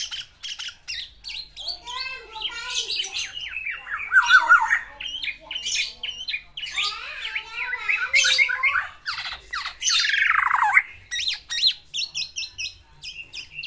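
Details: A kept black-naped oriole wooing a female delivers a long, varied song of warbled phrases, scratchy chatter, quick repeated notes and a loud descending harsh slur, with pauses between bursts.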